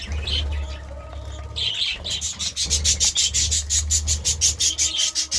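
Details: Morning budgerigar sounds: a few high chirps, then a fast, even series of raspy, scratchy pulses about three per second, with a low hum behind.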